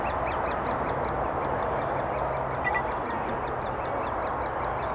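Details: Great spotted woodpeckers bringing food to chicks, Thurrock woods, 20 May 2014, FinePix HS50EXR camera; rapid high chips repeat without pause through five seconds, with one brief higher whistle near the middle and constant hiss beneath.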